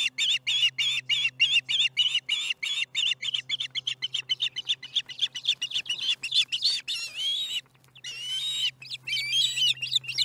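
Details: Osprey calling steadily at a nest at Charlo on July 15, 2019, 4:30 pm MDT, during dinner: rapid runs of short, high whistled chirps, about three or four a second, ending in longer squealing notes, over a low steady hum.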